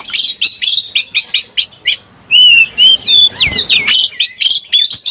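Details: Oriental magpie-robin in breeding condition, sound used as a lure for trapping: a run of short sharp chirps repeated about twice a second, then loud clear whistled notes, slurs and rising sweeps.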